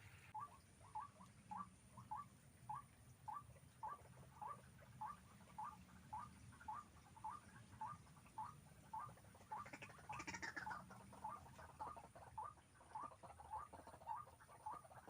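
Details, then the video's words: White-breasted waterhen recorded while being trapped with hanging snares; short hoarse notes repeat almost twice a second in a steady, even series for fifteen seconds, with a brief broad rustling burst near the middle and low background hum. "Pikat burung ruak ruak"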